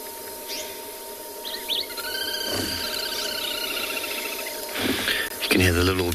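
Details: Little grebes give a rapid, high, whinnying trill of quickly repeated notes lasting a couple of seconds, under a man's speaking voice, at a waterhole during an afternoon game drive in South Africa in June.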